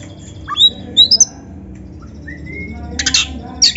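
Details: Kacer (oriental magpie-robin) singing, played as a training lure to get young, practising or quiet kacer birds to sing: scattered clear whistled notes and a long level whistle, then a dense burst of buzzy chatter, over low background hum.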